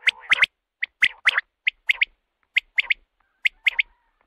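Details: Male common quail calling: short, sharp three-note phrases repeated about once a second, each note a quick bright pip, with a softer lower murmur under the first phrases.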